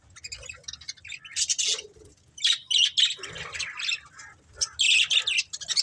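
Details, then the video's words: Pet budgerigars chattering while playing and eating: bursts of bright, scratchy chirps and warbles in uneven clusters separated by quieter gaps, with a few lower squawky notes mixed in. "Cute Budgies Chirping Sounds"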